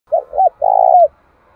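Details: Spotted dove decoy bird calling to provoke rivals, giving one three-part coo: two short rounded notes then a longer, steady low hoot ending in a slight downward slur.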